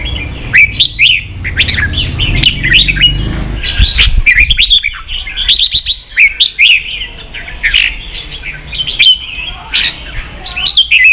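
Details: Red-whiskered bulbul song for training young birds, 'ché' style: a long run of rapid, bright warbled whistles and chirps, nearly continuous. A low rumbling background fades after the first few seconds.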